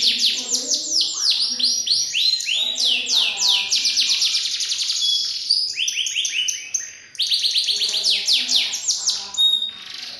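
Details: Canary (kenari) song: a continuous, varied stream of high, rapid, descending whistled sweeps, trills and chirping phrases. A brief pause comes near the middle before the rich, rolling song resumes.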